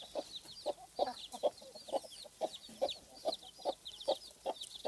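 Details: Domestic broody hen, hatched from a large clutch of eggs and somewhat agitated, clucking low and steadily about twice a second while her chicks pipe high, thin peeps above.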